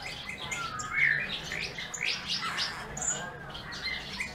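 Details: Eurasian bullfinch singing while eating: a busy run of short chirps and thin whistled notes, mostly high, with a brighter whistle near the one-second mark, over faint low background hum.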